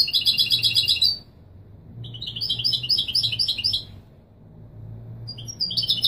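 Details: European goldfinch, a Moroccan Widani-style singer, recorded to be played to young birds so they learn the song: bursts of rapid, bright twittering and tinkling notes in runs of one to two seconds separated by short pauses, over a faint low hum.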